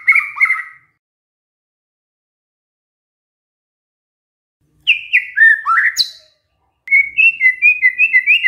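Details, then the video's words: White-rumped shama imitating canary: a short warble, a long silence, then varied whistled notes and a fast rolling trill. "murai batu bongkar isian KENARI"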